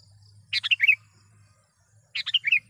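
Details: Two quick chattering phrases from a sooty-headed bulbul used to lure wild ones, each a run of bubbly notes sliding downward into a short warble, with a faint low drone.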